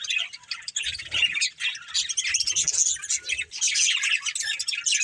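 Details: Pet budgerigars warble and chirp in a steady overlapping chorus, scratchy trilled phrases and thin squeaks running through the whole stretch, with a couple of dull thuds.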